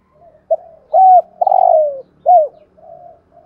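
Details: Decoy spotted dove with a 'giọng thổ' style voice gives one complete cooing phrase: a brief opening note, a bent hollow coo, a long sliding coo that falls in pitch, and a final curved note, with soft murmurs on either side.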